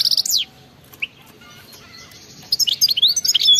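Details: European goldfinch giving wild-type song in the batbata style, meant to set silent goldfinches singing: a burst of bright twittering notes, a lone chirp near one second, then a rapid run of sweeping, tinkling phrases.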